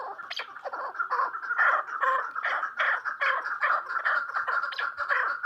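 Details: Female chukar partridge giving a dense run of harsh, clucking chatter, notes repeated quickly and overlapping, slightly rough and raspy, with faint background noise.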